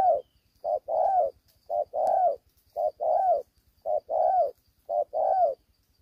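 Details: Spotted dove, young and not yet fully collared, calling aggressively while fighting. Five steady couplets of mellow, hollow coos, each a brief note followed by a fuller rolling one, come at an even rhythm.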